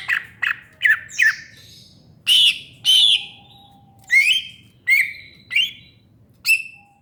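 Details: Greater green leafbird with loud, clear whistled notes that bend upward and downward, spaced roughly a second apart, plus a quiet steady low whistle.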